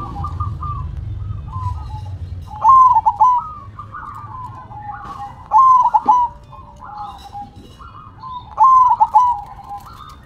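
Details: Zebra dove cooing, a repeated rolling phrase of quick stuttering notes that dip and rise, sounding about every three seconds, with quieter low cooing between bouts and low background rumble.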